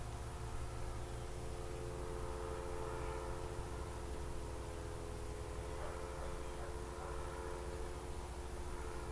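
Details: Even, droning machine hum with steady tonal lines and hiss throughout, like a distant aircraft, with no calls heard.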